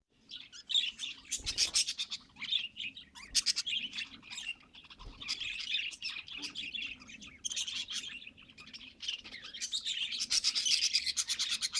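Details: Pet budgerigar chatter: a dense, continuous warbling of scratchy chirps, clicks and squeaky notes, with busy bursts near the start and a louder, fuller stretch toward the end.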